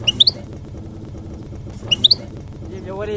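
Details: European goldfinch, song in the campero (country) style, meant for tutoring young goldfinches; two quick clusters of three high, bright chirping notes about two seconds apart over a low background hum.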